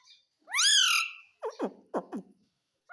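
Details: Talking ringneck parrot giving a drawn-out rising then falling harmonic screech, followed by four quick downward-sliding speech-like syllables in a quiet room.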